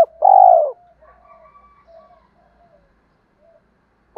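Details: Spotted dove, male or female, in a recording meant to stir newly caught birds and train decoys: one loud, full, slightly falling coo, followed by quiet wavering murmurs and a clipped note at the end.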